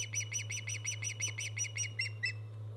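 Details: Osprey calling from a nest watched by a live camera on 24 August 2014, giving roughly twelve sharp, piercing chirped whistles in fast succession that slow and fade at the end, with a constant low hum underneath.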